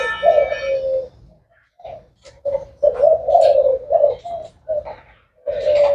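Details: Spotted dove of the 'thái hậu' style: a strong opening coo, then a broken sequence of hoarse low coos with gaps, accompanied by scattered clicks and brief high noises.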